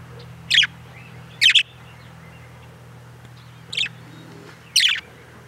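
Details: A budgerigar outside utters short, shrill chirps at uneven intervals, about one a second, one of them doubled, while a steady low droning hum runs through the background.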